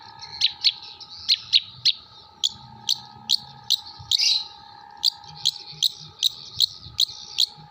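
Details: Long-tailed shrike from Jember, Indonesia, with song material imitating kuntilanak, gereja and tengkek buto birds: sharp high chirps repeated about twice a second in pairs and runs, one longer buzzy note midway, over a steady low hum.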